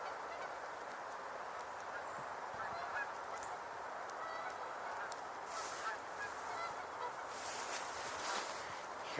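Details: Canada geese at a pond on 11 November 2023, suddenly vocalizing: a steady, overlapping chorus of distant, blurred nasal honks over a constant background hiss; Tundra swans also called nearby earlier.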